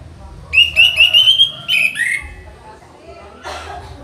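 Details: Orange-headed thrush in training as a master songbird, singing a rapid series of bright repeated whistles followed by two slurred notes, then quiet with a brief noisy rustle near the end and low hum.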